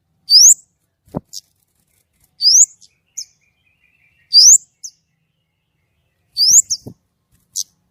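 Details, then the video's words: White-rumped shama singing actively in a clear voice: bright rising whistled sweeps high in pitch, each followed by a short chip, repeated about every two seconds with silence between phrases. "kemade gacor nembak!!! suara jernih"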